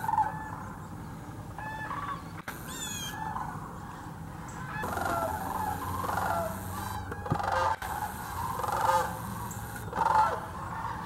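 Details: Thousands of sandhill cranes visiting Hiwassee Wildlife Refuge in East Tennessee: a broken sequence of crane chorus with louder rattling bugles rising out of the flock roughly every second, and a few high whistled notes early on.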